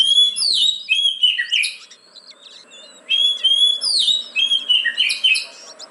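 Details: Lure song of an oriental magpie-robin, meant to coax reluctant caged birds into singing: two dense bursts of bright whistles, sliding notes and sharp chirps, with a quieter gap between them.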